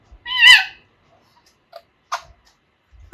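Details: Young Alexandrine parakeet, two and a half months old and learning to talk, gives one loud harsh squawk followed by faint clicks and a person speaking nearby indoors.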